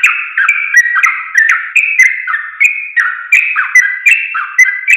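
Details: Sooty-headed bulbul song meant for training caged birds to sing: lively, tightly packed bubbling phrases with fluty slurred notes, repeated about twice a second at even loudness, with no background noise.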